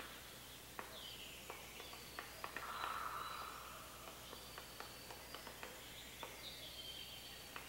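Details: A male Eurasian three-toed woodpecker taps on wood in sharp, uneven knocks, about four a second, rather than a steady drum roll, over a brief soft hiss and quiet background noise.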